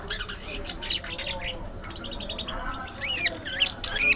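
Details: Budgerigars in an aviary colony chatter together, with overlapping bright warbled chirps and short rising and falling squeaks, growing busier toward the end.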